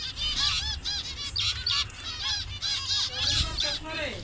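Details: Loud nasal beeps from a colony of zebra finches in Bangladesh, various colour variations, each call an arched honk, given in quick irregular runs by several birds.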